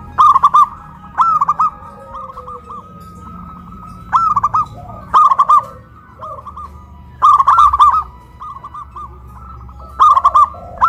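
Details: Two caged zebra doves, a local big-voiced bird and a crystal-voiced bird, cooing loudly after being hoisted on a pole in Kuningan, West Java; bursts of rapid, staccato cooing notes repeat about every three seconds with quieter coos between.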